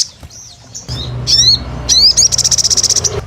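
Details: Sunbird (sogon) calling energetically on a lure recording: thin high notes, then steep rising sweeps, ending in a fast dry rattle of evenly spaced clicks. Faint low hum underneath.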